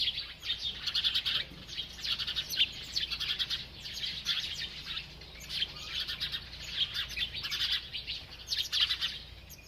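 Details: A natural, unedited village recording of sparrows playing and bathing; steady flock chatter of rapid, high, overlapping chirps, swelling in bursts every second or two throughout.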